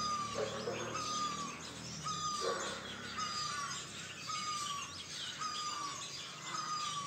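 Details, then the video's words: Birds chirping on a hill-station morning in Doda, Jammu and Kashmir: many high, rapid tweets overlap while a clear falling whistle recurs roughly every second, over a faint low droning background. "Chirping of birds (Morning in Hills)"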